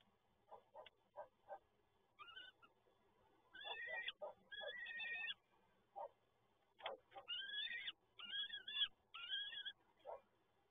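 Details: Peregrine falcon nestlings in Toruń, Poland, on 30 April 2022, begging as they are fed. Soft low pulses mix with rising and falling wheezy wails that come in quick, overlapping bursts during the second half.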